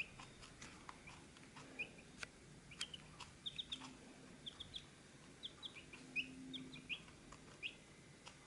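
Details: Chicks at a feed dish give short, high peeping chirps, scattered irregularly at roughly eighty per minute, over a low steady background hum.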